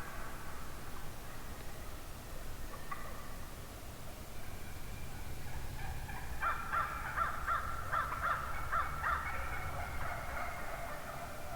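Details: Wild turkey hens in a huge morning flock: quiet at first, then a series of about eight evenly spaced yelps over three seconds, with other hens faintly calling around them.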